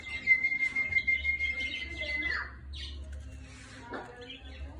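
Budgerigar warbling in fast, scratchy chatter with squeaky chirps, under a steady thin whistle-like tone and a low hum.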